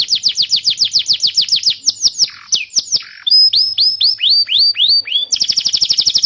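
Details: Canary singing on a master recording meant to coax young birds and silent canaries into song: quick repeated downward-slurred whistles, a brief pause with lower sweeps, then rising-falling notes ending in a dense rapid trill.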